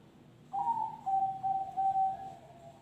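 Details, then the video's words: Kept zebra dove singing in the noklak nekung style: a short higher opening note, then a run of about six level, pulsed cooing notes, evenly spaced over two seconds, against a quiet room background. "suara perkutut noklak nekung"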